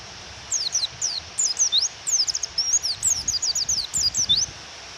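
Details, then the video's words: Female pleci white-eye calls meant to provoke a male to sing: short, sharp, high-pitched downslurred chirps in quick bursts of two or three, with steady falling rain behind them. "Pleci Suara Memanggil Lawan dan Suara Hujan"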